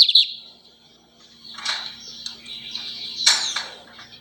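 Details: Lined seedeater singing a lot: a sustained high whistled tone near steady pitch, broken by short harsh buzzy bursts around one and a half and three and a quarter seconds, then trailing thin whistled notes.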